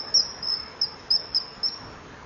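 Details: Common kingfisher juvenile begging and being chased off by a female, filmed at a nesting-wall camera at 19:09 on 24 July 2015. Short shrill high whistles repeat roughly every quarter second over faint background hiss.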